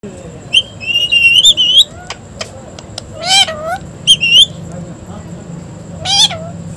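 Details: Parrot said to be saying "mitthu": several sharp, squawky, high-pitched syllables in short bursts, a couple of louder rising-then-falling notes near the middle and end, over a steady faint background hum.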